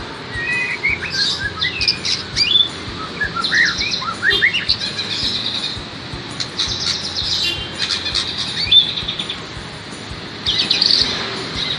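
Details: Caged white-rumped shama brought among crowds as training so it loses its fear of people; varied song of sharp high chirps, rattling bursts and short rising whistles in irregular bouts, with constant background noise.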